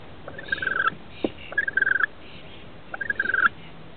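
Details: Rainbow lorikeet chicks, two nestlings aged 21 and 17 days, in a nest inside a house roof on 23 October 2013 as the parents come in to feed them: three bursts of rapid, pulsing, buzzy chatter, each under a second, separated by pauses.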